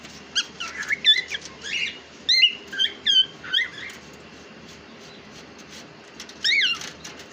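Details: Pet cockatiel indoors, described as talking, produces bursts of squeaky, whistled chirps and sharp upslurred notes in short clusters, then a pause and a final rising-falling squeal, in a quiet room.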